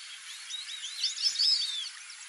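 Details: Wild White-faced whistling ducks in the Pantanal give a chorus of high, thin, overlapping whistles, rising and falling quickly, as from several birds calling at once, over a steady background hiss.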